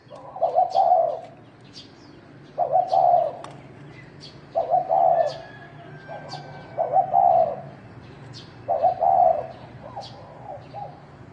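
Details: Spotted dove of the wild field type calling to provoke males to fight: mellow, rolling coo phrases repeated about every two seconds, steady and even, with frequent thin high chirps of other birds in the background.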